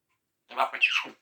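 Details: Talking pet parrot uttering one short raspy word-like phrase, a hoarse burst that rises to a squeaky peak and then trails off, in otherwise silent surroundings.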